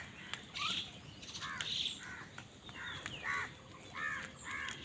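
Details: Faint, distant-sounding caws from crows fighting for food, short rasping calls spaced out against a hiss of background noise.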